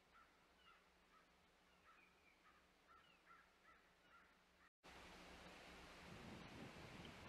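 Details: Osprey at the Hog Island nest, 25 May 2021: a regular series of short, thin chirps, about four per second, for several seconds. After a brief break, loud rushing broadband noise takes over.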